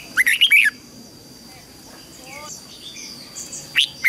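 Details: Red-whiskered bulbul song meant to teach young birds and rouse wild-caught ones: an opening burst of five rapid, sweet notes, soft faint whistles in the gap, then a brief single note near the end.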